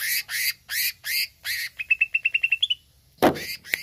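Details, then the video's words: Greater green leafbird song meant to stir up a kept bird: five harsh, noisy rasps, then a rapid even trill of short high notes rising at the end, and a final sharp burst. "HANYA PLAY CUCAK IJO INI UNTUK PANCING EMOSI IJO ANDA"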